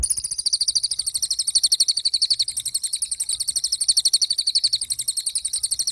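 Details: Pied fantail, locally cililin, singing prolifically with a continuous, quick-fire, high-pitched ticking chatter, even in rhythm and loudness from start to finish.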